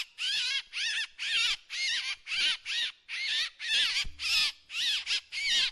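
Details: Drongo decoy calls: a brisk series of raspy, buzzing notes with trembling overtones, roughly two per second. A low hum enters near the end.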